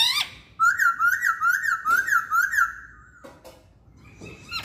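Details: Song of a Chinese hwamei: a fast trilled series of wavering whistled notes on one pitch, then quieter sliding whistles and a short rising note near the end.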